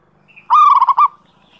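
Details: Zebra dove (perkutut) song used as a training and lure recording: a single cooing phrase of rapid low pulsed notes that ends in a longer note, clean and close.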